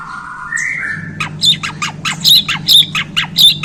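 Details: White-rumped shama (Borneo murai), just acquired, gives a smooth stepped whistle followed by a quick series of sharp, high, chattering notes repeated over a low background hum.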